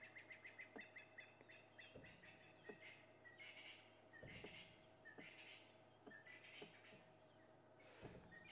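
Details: At Djuma Game Reserve, South Africa, on an afternoon drive on 21 April 2011, francolins give an alarm chorus on spotting something. Harsh, grating bursts come about once a second, with faint chirps and low knocks behind.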